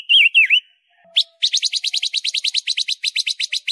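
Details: Small but loud-voiced silver-eared mesia: two rich swooping whistles, a pause, then a sustained fast trill of buzzy chirps repeated steadily to the end.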